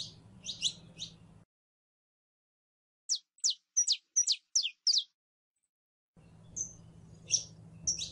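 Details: A female canary in heat calling for a male to mate produces quick, high, downward-sweeping chirps in a rapid series, then a few separate whistled chirps, with a low hum at start and end.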